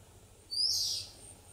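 An Oriental magpie-robin gives one bright, high whistled note lasting about half a second, sharp at the start, over a faint low hum.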